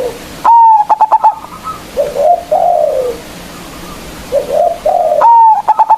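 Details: Local zebra dove calling rivals with a big voice: a loud held note and stuttered pulse series, a pause of soft wavering coos, then the loud note and pulses start again.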